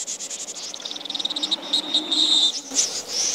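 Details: Snipe call recording used as a lure for night bird trapping: a fast series of thin, high ticking notes that merge into a sustained, slightly wavering high whistle, with faint low hum beneath.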